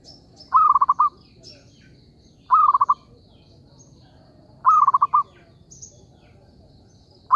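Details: Zebra dove call used to lure birds for trapping, heard as four rhythmic bursts of quick, rolling coos, each a brief opening note followed by four or five fast pulses, spaced about two seconds apart, with soft distant chirping behind.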